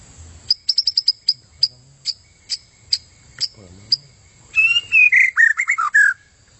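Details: White-rumped shama song used as contest training material: a series of short high ticks spaced out, speeding then slowing, followed by a burst of descending whistled slurs.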